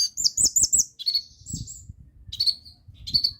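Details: Olive-backed sunbird (konin) singing, a recording meant to get stalled sunbirds singing. A quick looping trill opens, then short bursts of high, thin chirps and whistles come between brief silences, with soft low knocks in the background.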